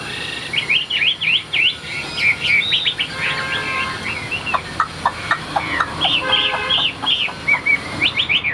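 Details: Caged Chinese hwamei, tame and newly arrived, sings a fast string of short, sharp whistled notes. These are mixed with clipped chattering bursts and varied slurred phrases.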